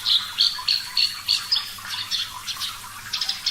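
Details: Javan bush lark, parva type, giving a fast string of harsh, buzzy high notes repeated about three times a second, slightly uneven in spacing, louder at the start.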